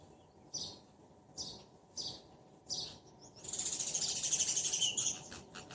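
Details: Sparrow pair calling to each other: four separate short chirps about half a second apart, then a dense, rapid chattering run of chirps and a few closing notes.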